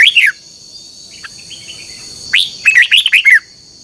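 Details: Red-whiskered bulbul morning singing in a contest, lure song for training: a short slurred whistle, faint soft notes, then a lively burst of bright warbled whistles ending in a falling note, over a constant high tone.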